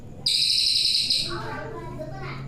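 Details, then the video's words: A hand-reared, tame brown cililin (forktail) kept as a tutor bird gives a thin, very high hissing whistle held for about a second, followed by lower murmuring that sounds like a man talking. "cililin gacor"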